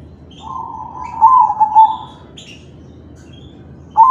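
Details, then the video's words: Crossing zebra dove singing in kalung tempuk style, used to prompt other doves: a long, soft, steady humming coo with a warbling middle, then a pause with faint high chirps and the start of another coo. "Suara perkutut crossing manggung || Perkutut crossing kalung tempuk || Pancingan perkutut lain"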